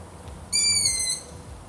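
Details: Long-eared owl uttering one piercing, squeaky drawn note of about two-thirds of a second, tapering lower toward its end, with a soft hiss behind it.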